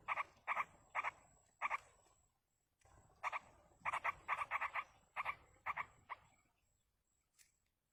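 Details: Nestling yellow-vented bulbuls in the wild beg while being fed, giving coarse, scratchy notes singly and in pairs at irregular intervals, quickening into a cluster before fading, with a faint high tone running throughout.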